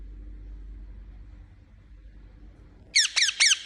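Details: Pet Indian ringneck parakeet: after a stretch of near silence with low background hum, three rapid shrill chirps burst out at the end, sharp and falling in pitch.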